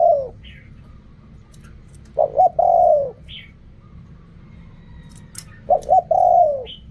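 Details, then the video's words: Spotted dove song in the khu kham and ok rong styles: two separate phrases, each a pair of short pulses and then a mellow sliding coo, with quiet pauses and a few faint high chirps. "เรียกคำ คูคำ อกร่อง เสียงนกเขาใหญ่"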